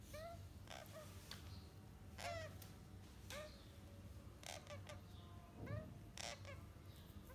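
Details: Four-week-old parrot chicks give scattered short, raspy calls with a sliding, curved pitch, some grouped closely, separated by brief pauses, against a constant low background rumble and occasional knocks.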